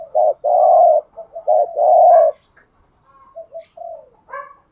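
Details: Spotted dove used as a lure bird, cooing in a full patterned series: a clipped note, then two long, loud, hollow coos, trailing into soft broken notes and a brief higher chirp.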